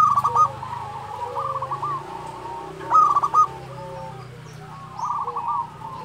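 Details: Actively singing local zebra dove (perkutut lokal) from Indonesia gives short bursts of fast, bubbling coo notes. The bursts come about two seconds apart, with softer dove cooing behind them and a steady low hum.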